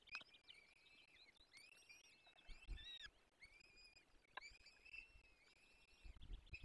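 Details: Faint, continuous chorus of peregrine falcon young begging while fed at a forest nest in the Barycz Valley, 17 April 2024: long, bending, reedy whines with short upswept squeaks and occasional low knocks.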